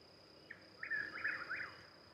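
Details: Chuck-will's-widow near Louisville, Kentucky, on 26 May 2020, with at least two birds calling, giving one phrase: a soft clipped "chuck" then a rolling, whistled "will's-WID-ow" lasting about a second, over a steady high insect drone.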